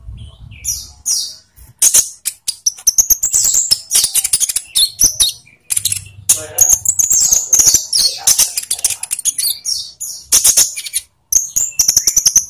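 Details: Olive-backed sunbird, a captive bird, singing as a lure for other caged birds: fast, high-pitched twittering with ticking clicks and brief thin whistles, hardly any pauses over twelve seconds.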